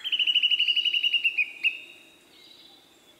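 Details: Song of a male Siberian blue robin: a loud, rapid rattling trill of about twenty evenly spaced pulses, steady in pitch then dropping slightly and fading after about one and a half seconds, with faint thin high notes afterward.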